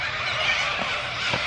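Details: A large flock of white cockatoos nesting in trees, probably about a hundred, screeching together at night, stirred up by a dog; a dense, harsh, grating wall of raucous squawks with no break.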